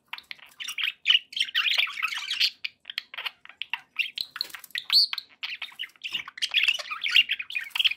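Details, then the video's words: Several pet budgies chattering continuously, rapid scratchy chirps and warbles tumbling over one another, with short whistled upslurs among the dense twittering and only tiny gaps between bursts. "relaxing budgie sounds"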